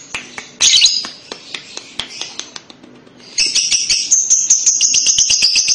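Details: Lovebird kekek song, used to make a young lovebird reply: scattered harsh high chirps and ticks, then a rapid, steady rattling trill of high buzzy pulses over the last half.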